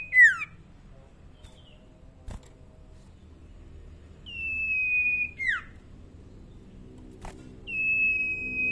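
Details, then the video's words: Tame young common iora with a soft voice: a downslurred whistle, then two long level high whistles, the first also dropping at its end, spaced by quiet gaps with occasional clicks and low hum. "Burung sirtu cipoh bakalan suara masih pelan"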